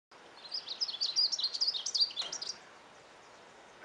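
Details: Glaucous-blue grosbeak (Cyanoloxia) song, a rapid, hurried, jumbled warble of high twittering notes for about two seconds, typically sung from dense cover, over faint background hiss.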